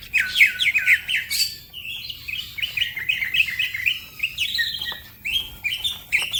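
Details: Green leafbird (cucak ijo) in fast, full song used as a tutor recording: rapid bright chirps and upslurred whistles, then a run of short repeated notes in quick succession, with faint low hum beneath.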